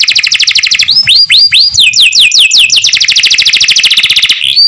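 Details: Canary singing in the cenkok style: loud, clean song of fast repeated trill notes, then a run of rising, sweeping whistles, returning to rapid buzzy trills with a short whistled ending.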